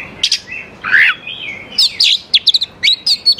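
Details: Oriental magpie-robin song used as a lure for young forest birds, a downslurred whistle followed by a burst of quick sharp high notes and bright whistled slurs.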